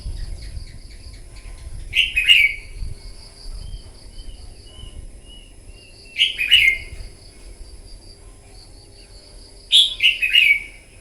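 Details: Red-whiskered bulbul, newly wild-caught, singing competitively in the morning: three short bright warbled phrases, roughly four seconds apart, each a quick cluster of slurred whistles, with soft faint notes between and low background noise.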